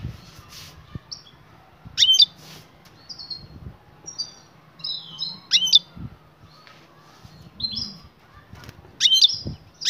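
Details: European goldfinch female in breeding condition calling for the male: sharp loud sweeping notes about every three and a half seconds, softer high twitters between them, background low hum and knocks.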